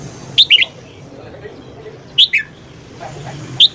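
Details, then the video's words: Red-whiskered bulbul morning song. Three crisp, bright phrases of two or three fast whistled notes are separated by pauses of about one and a half seconds, with faint low murmur behind. "luyện giọng chào mào hót sáng"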